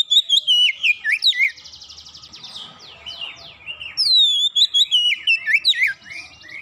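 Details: Oriental magpie-robin song used as a lure to make birds sing: loud whistled phrases sliding down from high notes, broken by a rapid buzzy trill, then another run of bright descending whistles and quick chirps.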